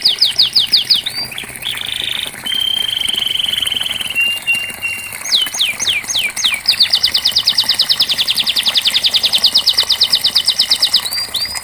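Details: Canary song, used as a training recording to coax non-singing canaries to sing: fast downward-sweeping whistled notes, then flat buzzy trills and a long rapid high rattle of repeated notes, roughly three per second overall, with faint background hiss.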